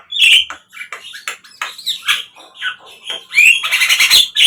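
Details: Javan myna song played as a lure to get captive birds singing: harsh squawks, chattering rasps and a few sharp whistled notes in an uneven, busy stream, louder bursts near the end.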